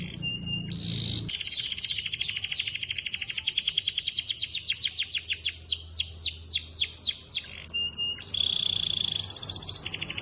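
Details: Clear, nonstop canary song used for training and to draw a rival's response. Long, very high rattling trills speed and slow, broken by sharp clicks and a steady whistled tone, then resume as quick repeated sweeps.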